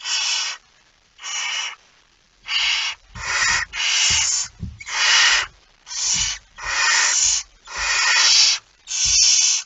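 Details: Barn owl with a mouse, 01:49 on 17 September 2019: ten harsh, breathy hisses, slow at first and then coming roughly once a second, with low scuffling noises in the middle.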